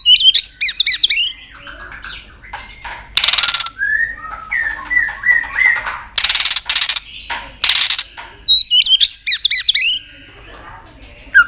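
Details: A white-rumped shama in competitive, rival-provoking song delivers varied whistled phrases, high warbled runs and loud harsh rasping bursts, with frequent changes of voice across the phrase.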